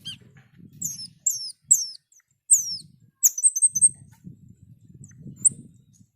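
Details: Asian pied starling offers spaced, steeply falling high whistled slurs, then a quick cluster of sharp high notes, over a low rumbling background.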